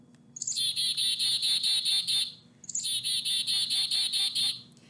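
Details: Black-capped Chickadee, a common bird in Massachusetts, giving its chickadee-dee-dee call twice: a short high note, then a run of about eight hoarse, buzzy 'dee' notes.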